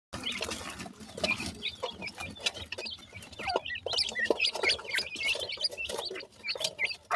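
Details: Grey francolin chicks giving a dense stream of short, high, upslurred peeps, overlapping and repeated several times a second, with scattered clicks and rustling throughout.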